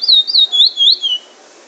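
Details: Trinidad bullfinch singing its drawl and wheet drawl song style: five high, sweet whistled notes, each sliding downward, given in a quick run over about a second before falling quiet.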